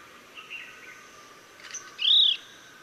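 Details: Chestnut-bellied nuthatch (Sitta cinnamoventris) in Sattal, Uttarakhand, India, gives one clear, high whistled note that rises and falls slightly, after a few faint softer notes, against quiet background hiss.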